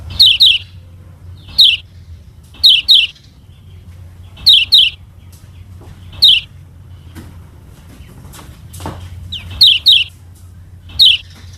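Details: Lemon-bellied white-eye, a Lombok yellow kecial kept as a model for teaching other birds to sing: short high sharp double chirps, sliding downward, come in pairs at irregular intervals of about one to two seconds over a quiet low hum.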